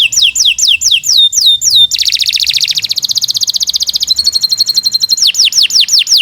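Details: Canary song, a loud long 'gacor' singer offered as a master recording for training other birds: fast descending whistled sweeps, then dense buzzy trills and rapid rolled notes, returning to repeated downward-slurred whistles.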